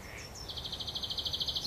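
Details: Eurasian wren nestlings begging while being fed by their mother at a nest near Worthington Lake, Standish, Wigan; a high, rapid pulsed chatter repeated about ten times, following brief thin high notes.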